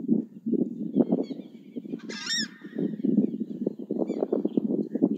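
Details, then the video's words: Southern screamer calls: continuous low, rough honking in rapid pulses, with one sharp high ringing cry about halfway through and faint higher notes later. "Chajá audio"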